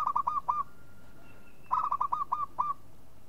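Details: Local zebra dove giving two bursts of rapid, soft cooing notes about a second apart, each ending in a slightly longer note, with a faint thin whistle between them.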